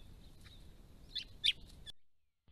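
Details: White-browed woodswallows, many birds at a pond in December 2016, give a few faint chips then two louder sharp notes before the sound cuts to silence.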